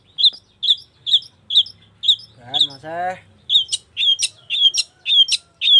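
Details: Long-tailed shrike singing actively, giving short clear notes repeated about twice a second, later mixed with sharper rising chirps; a brief lower voice-like sound intrudes midway.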